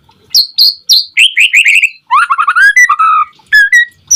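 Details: White-rumped shama in full, constant song, used as a lure to make other shamas answer and sing: loud clear whistled notes, then a fast run of rising slurred phrases and sweeping warbles, with short pauses between bursts.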